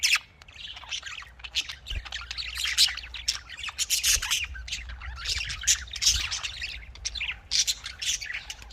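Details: Budgerigars kept for breeding chatter continuously as a group, with overlapping squeaky chirps, warbles and harsh squawks packed densely throughout and no pauses.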